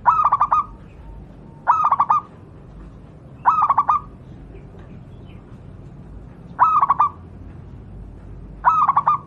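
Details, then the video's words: Natural local zebra dove from Java, recorded as a master song for pet doves: short phrases of four or five quick, clipped coos, repeated about every two seconds against a quiet hiss. "burung Perkutut lokal alam, suara untuk masteran perkutut anda"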